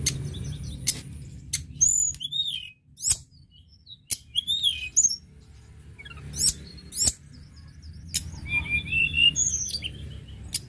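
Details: Tledekan gunung singing briskly, used to stimulate birds: bursts of high twittering notes and curved whistles separated by short silences, with sharp clicks and low hum.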